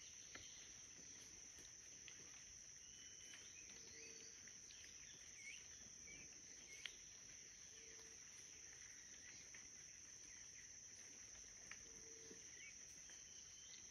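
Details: In La Bramadora wetland near Sopetrán, Antioquia, Colombia, on 17 September 2023, a blue ground dove gives brief low monotone boops, one roughly every four seconds, against constant shrill insect buzzing and thin, higher calls from other birds.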